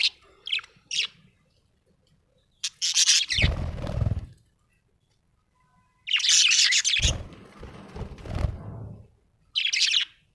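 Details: Happy budgerigar giving bursts of high, raspy chirps and twitters, separated by pauses and low thudding knocks, with a longer chattering run midway through.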